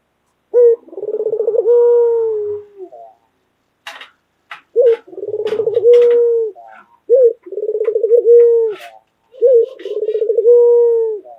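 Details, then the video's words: Pet white local collared dove calling loudly: repeated phrases of a short coo, a rapid rolling stutter and a long level coo, four times, with faint clicks and knocks between phrases. "Puter Lokal Gacor Suara Keras | Pesona Suara Kicau Burung Puter Putih Gacor Dor Yang Menawan"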